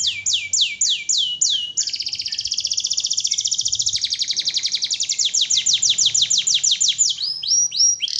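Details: Canary in full, vigorous song: runs of high, rapid, downward-sweeping notes, then a long dense buzzy trill, then more quick sweeps and a few clear whistles, several notes each second, against a quiet background.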